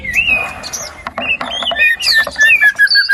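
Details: White-rumped shama singing to coax a quiet bird into song: a held whistle, then varied rising and falling phrases with buzzy inserts.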